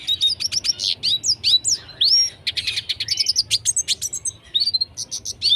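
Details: Red siskin in lively full song, used as a tutor recording for training other birds: a fast, continuous twitter of high chirps, slurred whistles and buzzy trills, with brief notes tumbling one after another and no other sounds.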